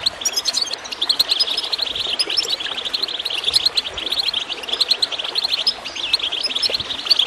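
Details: Goldfinch twittering with water in the background, used to get birds singing. Dense high chirps and trills flow continuously, bright and rapid.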